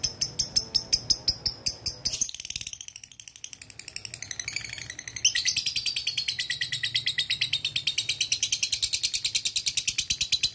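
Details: Male lovebird calling a rival with ngetik and ngekek: fast high ticks give way to a brief hush, then a long, dense, shrill chattering trill that runs on steadily to the end.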